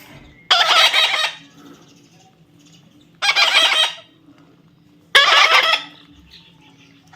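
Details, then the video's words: A baby parrot repeats three long, harsh, rasping screeches, each roughly two seconds apart, with quiet gaps and a faint hum between them. "natural funny parrot sound"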